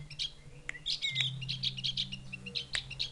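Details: Javan grey-throated white-eye from the Mount Wilis forests, a bird said to become tame, whose call resembles a chick calling its mother. Dense run of high twittering chirps, a few sharp clicks, and a low droning hum underneath.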